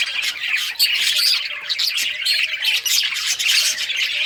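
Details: Several budgerigars of rare colours chirping while playing with toys, recorded June 18, 2023; dense overlapping warbled chatter and harsh squawky notes run continuously without pause.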